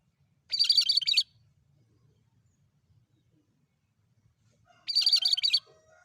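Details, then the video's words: Cucak kerinci bulbul lure sound: a lively, scratchy, rapid high chatter delivered in two bursts under a second long, roughly four seconds apart, with quiet low background noise between them. "Burung cucak kerinci gacor!!"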